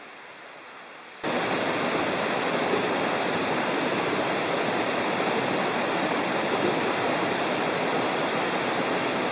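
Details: A quiet moment gives way to a loud, constant rush of a stream or waterfall during a June backpacking trip in Rocky Fork State Park, with no animal sounds.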